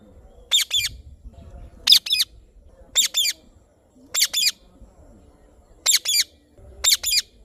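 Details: Indian ringneck parrot calling with rough, high, two-part squawks, repeated roughly every second in a fairly steady series, quiet between calls.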